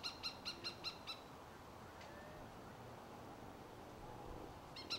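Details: Cooper's hawk, adult or immature, calling in a quick run of six sharp, ringing notes, then a pause with quiet background before one more note at the end.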